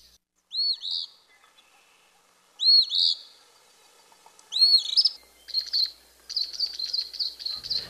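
Eastern Phoebe giving its burry, two-part 'fee-bee' song three times about two seconds apart, then a run of quick high chips.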